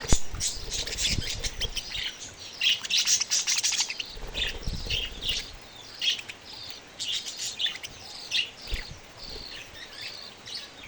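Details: Baby budgerigars calling: scratchy, high chirps in irregular bursts, with some low rumbling background noise.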